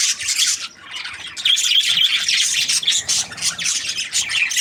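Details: Happy budgerigar chirping: a dense, rapid chatter of scratchy, buzzy chirps and short whistled notes, almost continuous, with a brief lull near the start.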